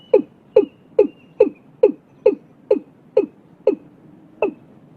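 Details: Watercock in Vietnam, early in the year, giving a rapid series of ten hollow, knocking calls at roughly two to three per second, slowing slightly at the end.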